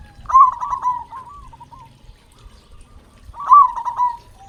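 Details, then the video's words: Local perkutut, the Indonesian zebra dove, singing strongly as a lure for reluctant captive birds; two loud rolling coo phrases, each a quick stutter of throaty notes trailing into softer coos, about three seconds apart. "Perkutut Lokal Gacor Suara Besar Pancingan Burung Perkutut Agar Cepat Bunyi"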